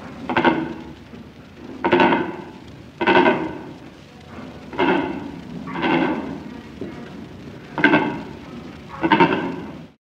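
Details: A Secretarybird beside a trail in sub-Saharan Africa gives deep, harsh, croaking calls, about seven in ten seconds at an uneven pace, each a rough, bleat-like groan.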